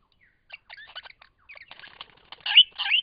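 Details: Lyrebird in Cape Liptrap Coastal Park: soft clicks and chattering notes building into two loud, harsh, squealing bursts at the close.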